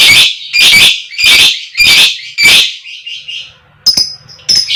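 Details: Koek koek calls of a female fighter lovebird, played to lure other lovebirds into song: five loud, grating squawks about half a second apart, then a few softer, thinner chirps and two sharp high ticks.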